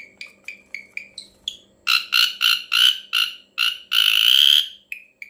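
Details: Strange call of an ashy drongo: a series of short down-slurred nasal notes, about three a second, turning into loud harsh, buzzy rasping bursts and a long grating note, then ending with two softer slurred notes.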